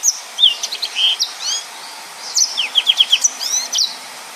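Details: Yellow-fronted canary in dense 'nembak' song for tutoring other birds: two phrases of bright whistled slurs and quick repeated notes, split by a short silence, with faint background hiss.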